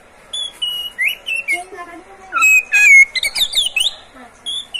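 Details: Oriental magpie-robin in captivity, singing to encourage other magpie-robins to sing. Its song is a varied series of whistles: short clear notes, slurred upward and downward phrases and a few buzzy chirps in quick irregular succession, with faint lower sounds behind.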